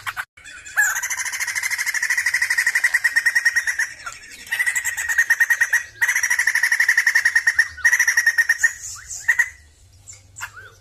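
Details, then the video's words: Sumatran laughingthrush delivering repeated long, rapid, buzzy pulsed trills, each several seconds long and separated by brief pauses, ending in softer scattered notes. "PERFORMA BAGUS DALAM BERKICAU BURUNG POKSAY JAMBUL SUMATERA"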